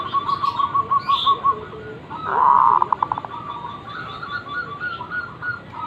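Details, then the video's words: Zebra dove in the morning with a run of rapid soft coo notes, then a louder rushing, noisy burst mixed with more notes, over constant background hiss. "Pancingan suara burung perkutut gacor | zebra dove still calling every morning"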